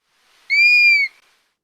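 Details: An over-slurred whistled call (highest in the middle) of a Dusky-capped Flycatcher: a single clear, half-second whistle that swells slightly upward and then drops away.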